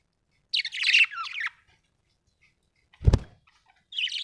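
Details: Happy budgie gives a burst of scratchy, chattering warble lasting about a second, then a loud low thud after a silence, and a last short buzzy chirp at the end.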